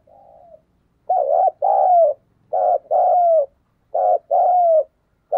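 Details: Spotted dove cooing to stimulate other doves to coo: repeated two-part phrases, a short throbbing note followed by a longer mellow coo that slides downward, about every one and a half seconds, with a faint softer coo at the start; quiet background.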